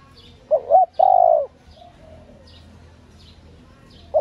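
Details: Female spotted dove cooing to excite males: a low two-part note and a drawn-out hollow coo, a faint softer coo after, then a new coo beginning near the end. Faint high chirps of small birds in the background.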